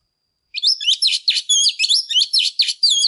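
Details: Female Oriental magpie-robin singing to stir up males: a loud, fast stream of varied whistled and chattering notes with sharp rising and falling slurs, starting after half a second of silence and running without pause.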